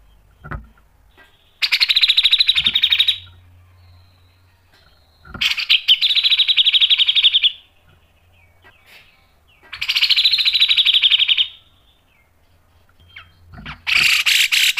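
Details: Cucak jenggot, the grey-cheeked bulbul, singing sharp mbeset phrases for a pancingan trigger recording: three dense, buzzy rattling bursts of about two seconds each, high and sustained, returning every four seconds with quiet gaps between.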